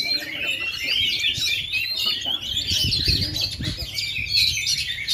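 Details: Oriental magpie-robin, 2.5 years without a molt, singing energetic high chattering phrases and piercing whistles nonstop, with low knocks and background talk beneath.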